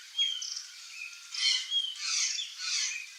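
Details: Flock of curl-crested jays (Cyanocorax cristatellus), wild birds in Brazil, calling: four harsh, scratchy bursts over about three seconds, with a few thin, clear whistled notes slipped in between.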